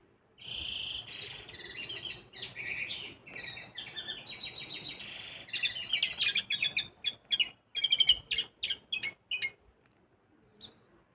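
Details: Canary hybrid (mixto) singing in preparation for song contests: a varied, rapid run of buzzy trills, whistles and chattering phrases that breaks into separate sharp chips spaced about half a second apart before falling silent.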